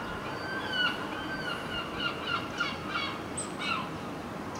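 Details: Early-morning red-legged partridge at Alvor, Algarve, Portugal, taken during digiscoping: a series of rasping, stacked chuck notes in irregular bursts, with a brief sharp high whistle from another bird near the end.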